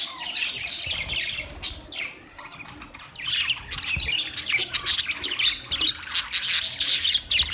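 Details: Budgies chattering with scratchy high squawks and quick chirps, a quieter stretch in the middle, then rising to dense, sharp twittering bursts.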